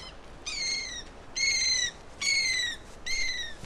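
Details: Andean gull (Chroicocephalus serranus) in Peru giving harsh, drawn-out nasal calls, each about half a second long, repeated four times at roughly one-second intervals.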